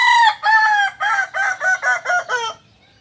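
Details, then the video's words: Kokok Balenggek chicken from Solok, West Sumatra, a nearly extinct Indonesian singing breed with tiered crowing. A long first note is followed by about seven short repeated tiers that step slightly lower, all within two and a half seconds, with a clean background. "Ayam kukuak balenggek ayam asli solok sumbar"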